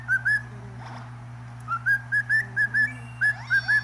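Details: Pet cockatiel singing: a string of short, clear whistled notes, two quick ones, then a pause, then evenly spaced paired whistles, over a steady low electrical hum.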